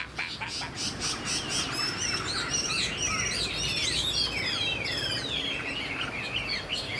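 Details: A tail-flicking first-year Chinese hwamei kept in a cage sings a fast, tumbling stream of high, bright whistles that swoop up and down, with some soft clicks at the start.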